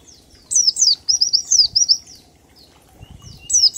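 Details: Oriental white-eye singing ngalas in a 1234-beat pattern as a lure for other birds; a lively run of sharp descending whistles, about seven in quick succession, then a pause before another pair, with low rustling in the background.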